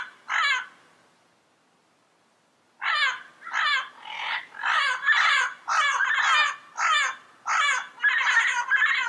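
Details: Harsh, raucous squawks of a yellow-headed parrot recorded in the wild: one call, a pause of about two seconds, then a rapid run of repeated grating calls.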